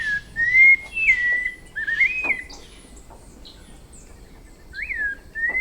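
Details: Brazilian forest white-necked thrush delivering melodious whistled notes, several swooping up and down in quick succession, then a pause before two more rising whistles; faint high chirps in the background.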